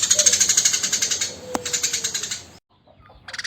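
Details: Eurasian tree sparrow, a tame bird, delivering coarse rapid-fire 'tembakan' calling: about two and a half seconds of harsh, evenly pulsed ticking, a sharp click, brief silence, then the rattle resuming.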